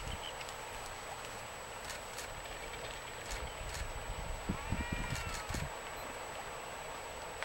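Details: Waved albatross courtship ritual at Punta Suarez, Española, Galapagos: a short rising, nasal harmonic call near the middle, surrounded by scattered dry knocking clacks and a steady background hiss.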